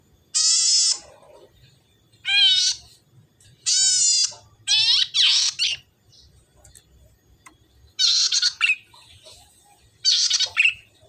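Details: Red-headed tit, known as salome, used as a lure to get others singing: loud, buzzy, rasping notes with strong overtones, some given singly and some in pairs, interspersed with chattering bursts and pauses.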